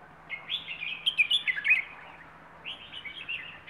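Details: A plai ho song from a Rayong wild bird: a dense burst of sweet, quickly warbled notes, a short pause, then a softer second phrase. A low hum runs underneath.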